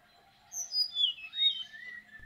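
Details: Male Indochinese blue flycatcher (Cyornis sumatrensis) starting the day with song in early morning at Nuy Bird Hide, Kaeng Krachan, Thailand: a sweet sliding phrase of clear whistles dropping from very high notes to a lower, drawn-out ending over about 1.5 seconds.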